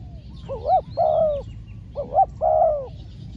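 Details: Spotted dove acting as a decoy while trapping: two phrases, each a soft rising double coo followed by a longer, gently falling, hoarse croo. Faint high twittering of small birds is in the background.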